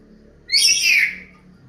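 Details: Bird giving one loud, high, whistled call that sweeps downward for about half a second, then fades, with a faint low hum underneath.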